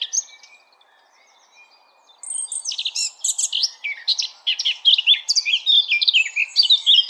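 A Eurasian blackcap opens with a few soft, scattered notes, then bursts into a fast, rich warble of clear fluty and scratchy phrases, high and varied.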